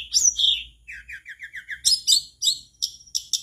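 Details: Energetic mangrove blue flycatcher song meant to prompt other birds to sing along: a bright whistle, a run of evenly spaced falling notes, then clustered sharp chirps and short high whistles.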